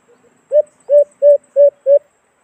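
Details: Call of the alimokon, the white-eared brown dove, used to lure it into a cage trap. Two soft, quiet notes come first, then five strong, low, hollow hoots spaced roughly every 0.35 seconds.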